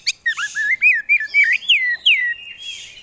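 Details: Oriental magpie-robin (kacer), a caged competition songbird, singing loudly: a rapid string of clear whistled notes with rising and falling slurs, some buzzy trills between them, delivered in a steady flowing run.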